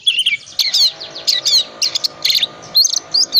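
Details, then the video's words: Oriental magpie-robin song meant to provoke reluctant birds into singing: a dense run of high, rapid chattering and whistled phrases, sharp notes tumbling one after another with brief gaps. "Kacer tipe dingin gacor full isian pancingan kacer susah on di jamin bunyi gacor lagi"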